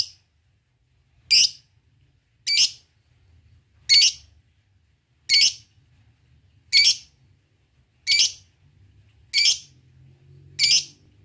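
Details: Lovebird 'ngetik' calls, the opening of a song used to lure and provoke rivals. Short, sharp, high squeaky bursts come one at a time, about every second and a half, with quiet gaps between them.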